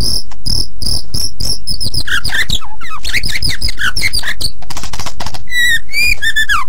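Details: White-rumped shama singing vigorously as master song for training other birds. Rapid high repeated pips at first, then a tumbling jumble of varied notes, ending in slurred descending whistles.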